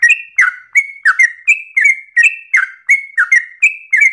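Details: Yellow-vented bulbul in full, persistent, rapid-fire song with long breath, meant as easy material for other birds to copy: clean whistled two-part phrases, a bright note dropping to a lower slurred one, repeated about every third of a second.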